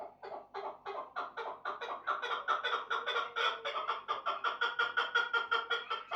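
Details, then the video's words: Chukar partridge giving a run of harsh, clucking chuck notes, about three per second, growing louder and more insistent over six seconds with no other sounds. "Кабки Чул"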